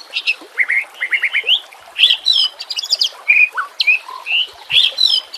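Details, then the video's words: White-rumped shama song for luring and coaching reluctant singers, set against nature sounds with running water: quick series of rising notes, harsh chatter bursts, and clear swooping whistles. "PANCINGAN murai BATU pasti langsung TAK BISA DIAM | pancingan murai TERBAIK"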